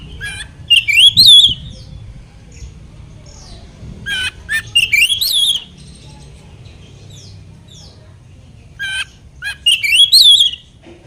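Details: Oriental magpie-robin (kacer) song meant to stir other magpie-robins to answer, given as short bursts of wavering whistles and harsh notes separated by long quiet gaps.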